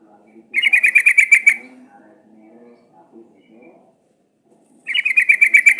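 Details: Sooty-headed bulbul sound used as a lure to make captive bulbuls sing: a rapid, buzzy chattering trill of about a dozen notes, a gap with soft low murmuring, then the trill starts again.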